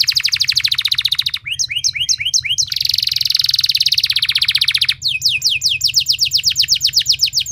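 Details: Loud canary song played so other canaries respond and sing: a buzzy roll, short paired chirps, a dense rattling trill and fast falling notes, with a constant low hum underneath.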